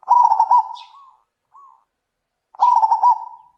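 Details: Back-and-forth zebra dove calling with a loud voice: a quick stuttering coo phrase that tails into a drawn-out note, a soft lone coo, then a second stuttering phrase.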